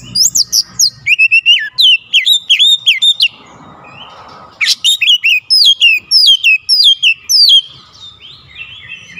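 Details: An oriental magpie-robin sings insistently in bongkar isian fashion, unloading its learned phrases: bright whistled notes and quick slurred chirps in fast bursts, then a brief rustling pause before another lively run of whistles.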